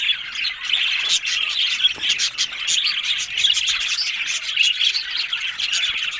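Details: Loud, constant budgerigar babble of chirps, trills and chattering warbles from several birds at once, dense and unbroken throughout.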